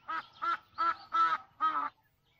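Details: Lone female Egyptian goose calling in vain for her mate, who was taken by an African rock python: five harsh, nasal quacking honks, about one every third of a second, in a short steady series.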